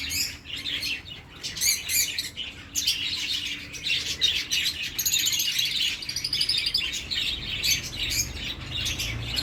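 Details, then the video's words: Dense chorus of birds chirping, high twittering and trilled notes overlapping almost without pause, with a faint low hum underneath. "అందమైన పక్షుల కిలకిలరావాలు | Beautiful Birds Chirping Sounds"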